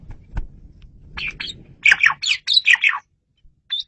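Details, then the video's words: Asian pied starling song used as a lure, clear and loud: harsh squawky chattering notes in a rapid run, preceded by faint low rumble. "SUARA JALAK SUREN RAJANYA MP3"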